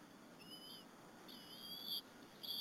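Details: Bald eagles at the Berry College nest on an April 30, 2015 afternoon, two eaglets sharing a squirrel lunch with their mother: two thin, high whistled notes with a slight wavering, separated by a short pause, over faint background hiss.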